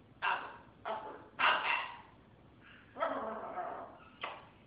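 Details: Pet military macaw speaking in a series of rough, nasal word-like bursts, some drawn out, in a quiet room.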